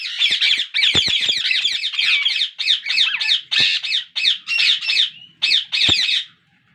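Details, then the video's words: Captive ringneck parakeet babies begging for more food as the father tries to feed each one equally; a dense stream of raspy, wavering squeaks, nearly continuous at first, then broken into shorter bursts. "My parrot babies asking food for more hungry!Father try to feeding each baby equal"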